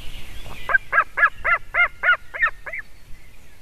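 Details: Young White-tailed Eagle at a nest in Latvia, calling in an almost adult voice as a buzzard flies toward the nest and lands behind it, 9:05 AM, 17 June 2019; a fast run of about eight harsh, evenly spaced yelps.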